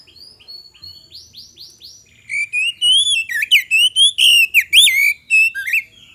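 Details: Magpie-robin song serving as a lure to get other birds to answer: soft upslurred notes repeated, leading into a loud run of warbled, wavering whistles with sharp breaks.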